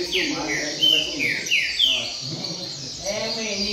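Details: Brown-plumaged double-collared seedeater in a singing contest: a quick series of bright, downward-sweeping whistled notes for about two seconds, followed by a man speaking.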